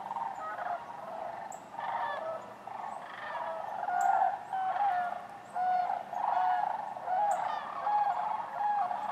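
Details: Flock of sandhill cranes with other waterfowl at Wheeler Wildlife Refuge, Decatur, January 12, 2013; loud, dense rattling bugles from many birds overlap continuously, swelling in bursts about every second, with a faint steady hum beneath.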